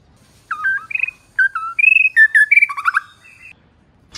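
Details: ['Female white-rumped shama used to provoke male singing. Quick series of short whistled notes, some steady and some dropping, delivered in a fast, uneven chatter with a brief burbling ending.']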